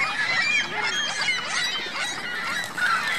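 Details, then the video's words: On Virginia Lake in Reno, geese with their goslings honk loudly, a crowded stream of bent, nasal calls from several birds with a sharp louder honk near the end. "Geese Goslings Reno Virginia Lake"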